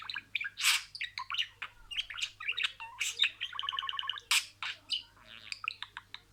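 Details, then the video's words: Budgerigar imitating words: buzzy, crackling chatter with loud harsh squawks, a rapid rattling series of ticking notes in the middle, and quick chirps throughout. "MUHABBETKUŞU KONUŞMA SESİ"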